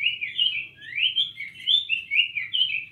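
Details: Cinnamon tanagers in full song, an unbroken stream of bright slurred whistles rising and falling in quick succession with hardly any gaps.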